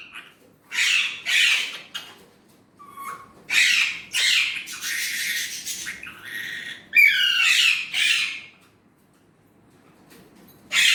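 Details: Pet Indian ringneck parrot talking in Urdu or Hindi: a string of harsh, raspy, speech-like squawks and bursts in uneven phrases, with one clearer rising-falling tonal note midway and short pauses between outbursts, indoors with no other sounds.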